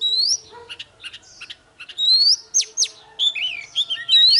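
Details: Morning fighting song of an oriental magpie-robin, used to provoke rivals: loud upslurred whistles, steep downward sweeps and quick chattering notes in uneven bursts, with a low steady tone in the background.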